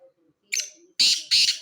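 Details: Black francolin (kala teetar) calling: three harsh, grating notes, a shorter first note followed by two loud buzzy bursts in quick succession, with faint low murmurs in the background.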